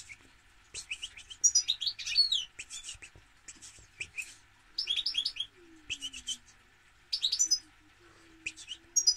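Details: Lively goldfinch song of rapid liquid twitters and jangling metallic notes in bursts, with brief gaps between phrases, above a soft constant hum.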